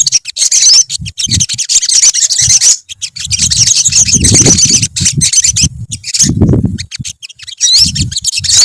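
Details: A colony of olive-backed sunbirds keeps up a continuous high twittering of quick sharp chirps and trills, mixed with low thumping and rustling noises throughout.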